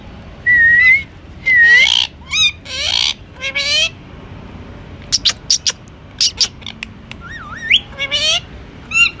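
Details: Pet Indian ringneck parakeet in a long vocal run. Rising whistles and harsh talking syllables open it, followed by a quick series of sharp clicks and chirps, then more whistles.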